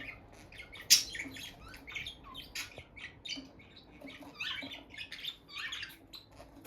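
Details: Bonded pair of peach-faced lovebirds kept indoors near their nest box, the female going in and out: scattered sharp, buzzy chirps and squawks, one loud burst near the first second, then irregular high chatter with faint room rustling beneath.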